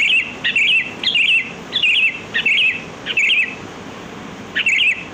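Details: Sooty-headed bulbul (kutilang) in the wild, a song used to lure birds: about seven lively bubbling, warbled phrases, repeated roughly every half second to second, with steady faint hiss behind.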